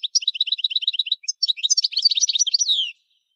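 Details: European goldfinch singing a fast, liquid twittering phrase: a rapid run of evenly repeated high chirps, then a jumbled burst of bright tinkling notes ending in a descending buzzy slur, all clean with no other sounds.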